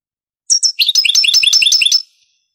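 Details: European goldfinch song in the Granada (Andalusian) style, taken from a 1980s–90s Spanish cassette copied to CD: two clipped high notes, then a dense, lively run of tinkling, twittering phrases lasting just over a second.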